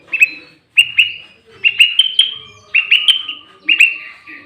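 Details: Loud, clear sooty-headed bulbul song played to attract and rile up wild bulbuls for trapping. Short bubbly whistled phrases, each a quick rising cluster then fading, about one per second, with a faint steady tone behind.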